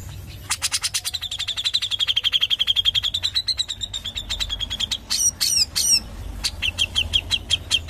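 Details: Grey-cheeked bulbul in 'ngepik rapat' mode: a long quick run of high clipped notes, about three per second, then a break into several sharp, slurred chips and a few final pulses.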